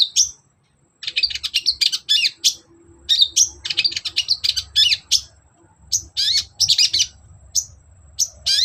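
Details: Lure recording of long-tailed shrike song meant to provoke a sluggish caged bird into answering: dense, high-pitched chattering and scratchy warbled phrases in quick bursts with brief gaps, over a faint low hum.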